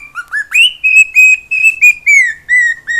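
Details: Pet cockatiel singing indoors in Brazil, a string of loud whistled notes, some rising, then level tones gradually sliding lower, about three notes per second.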